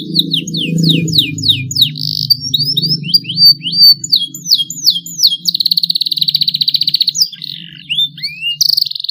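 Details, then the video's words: Young canary learning to sing, starting long rolls: series of downslurred whistled notes repeated rapidly, then a long buzzy trill and a fast rattling roll, with a low rumbling background hum. "KENARI PAUD BELAJAR BUNYI SUARA MULAI NGEROLL PANJANG"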